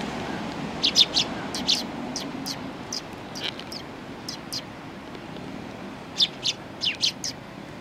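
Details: Sparrows coming for food at a Tenmangu shrine on 1 October 2020, giving brief, high, clipped chirps singly and in pairs and threes, with a constant hum of traffic behind.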